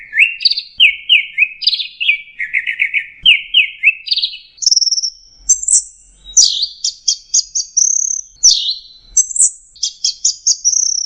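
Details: Long-tailed shrike song played to teach caged birds: quick descending chirp series repeated several times, rising to high thin whistled notes and fast buzzy trilled bursts near the end, with a faint low thump or two.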